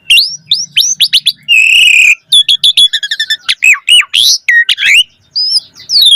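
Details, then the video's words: Asian pied starling delivering lure song to make other starlings sing: stacked upslurred whistles, a sustained buzzy note, rapid staccato chips, then looping warbles and soft rising whistles. "Suara Jalak Suren Gacor Full Isian Auto Respon buat Pancingan Burung Jalak Agar Gacor Isian Mewah"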